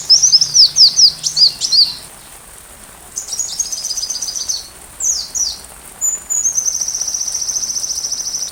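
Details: Sunbird singing, recorded to train a white-rumped shama: rapid high chirps, then a pause, then buzzy stacked notes ending in a long, even, very high trill.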